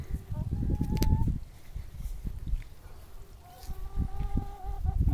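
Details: Four backyard hens walking quietly around a suburban yard a little after 4:30 give soft, drawn-out, low, steady purring notes, with a person talking nearby.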